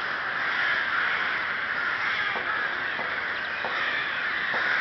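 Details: Rook colony, Ptačí ostrovy, Chrudim, Pardubice Region, Czech Republic, 30 May 2011: a thick, raucous mass of cawing voices with a few faint ticking knocks in the second half.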